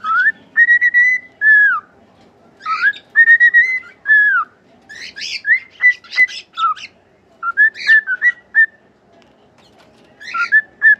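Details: Pet cockatiel sings loud, wavering whistled phrases that rise and then drop, mixed with harsh, raspy chirps and squawky notes in irregular bursts.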